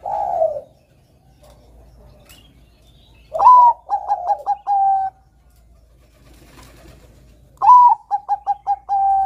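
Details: Bangkok zebra dove in full song, a bird said to draw song from untrained young doves; two phrases about four seconds apart, each a loud upslurred whistle, four quick staccato notes and a drawn-out final coo.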